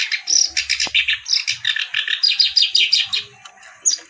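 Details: Black-browed reed warbler (kerak basi) singing energetically: a fast, continuous chatter of harsh, scratchy notes, repeated rhythmically about four times a second, with no pauses and little else audible.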